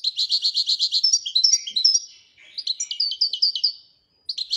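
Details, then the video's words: Moroccan goldfinch singing in the Wedania song style: a fast run of about ten identical buzzy chirps, then varied twittering and sliding notes, a brief pause, and a final short burst. "الحسون المراكشي لغة الويدانية"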